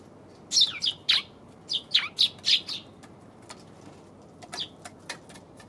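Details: Eurasian tree sparrow recorded on January 27: short bright chirps in two loose bursts, a few rapid notes each, then scattered fainter clicks and chips toward the end.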